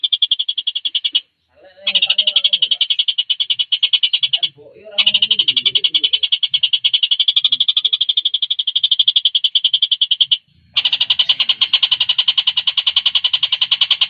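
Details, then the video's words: Javan kingfisher in a vigorous, fast song used to train competition birds. Long rattling bursts of rapid high notes are separated by three short breaks, with faint low rustling and clicks between them. "Tengkek Buto gacor speed rapat"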